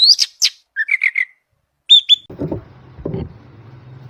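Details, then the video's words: Grey-cheeked bulbul in full song, offered as a model for training other songbirds: short sharp whistled notes and quick chirp clusters for two seconds, then low rumbling noise with a few scattered knocks. "Cucak jenggot Besetan Kasar dan Tembakan Tajam"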